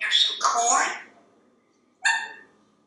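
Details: Pet parrot indoors awaiting dinner, speaking a quick two-part phrase in a humanlike voice, followed after a pause by one short, clear, tonal word.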